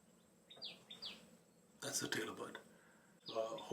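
A tailorbird gives sharp, high notes that slide downward, about one per second, with a man talking quietly between them.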